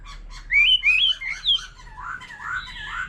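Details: White-rumped shama of wild forest origin singing alongside a laughingthrush; a few soft chips, then loud rising whistled phrases, followed by lower mellow warbling.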